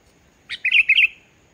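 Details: Sooty-headed bulbul in lively song, used to coax quieter bulbuls into singing: a single short phrase of bubbly, slurred whistled notes lasting under a second, over a quiet background.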